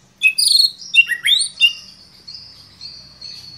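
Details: Agitated murai batu (white-rumped shama) answering a lure recording and spilling out its learned repertoire: rapid varied whistles, chirps and downward slurs in the first second and a half, then a thin sustained high tone.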